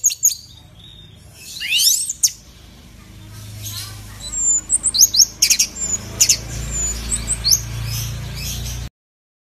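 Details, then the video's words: Orange-headed thrush played as a lure to get a caged bird singing, a loud-voiced fighter bird. High chirps and steep downward-sweeping whistles open, then after a pause comes a burst of sharp squeaky notes and rapid chirps over a faint low hum. "Anis Merah Gacor nyape Telerrr!!!"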